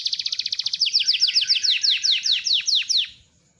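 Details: Singing loper canary, used as masteran: a fast high trill slows into a series of steep downslurred notes about five per second, ending abruptly in quiet.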